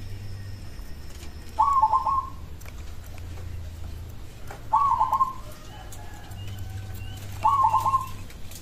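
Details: Local zebra dove cooing a song said to make other doves reply: three short, crisp stuttered phrases spaced about three seconds apart against a low hum.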